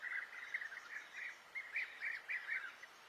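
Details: Unidentified bird singing a quick, jumbled run of chirpy twittering notes in short bursts, steady at mid-high pitch, fairly faint over a constant background hiss.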